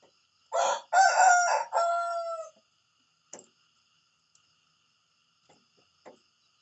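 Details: Rooster crowing in the morning: one loud, harsh crow in three linked parts lasting about two seconds. The last part is a drawn-out, falling note. A few faint clicks and taps follow in an otherwise quiet setting.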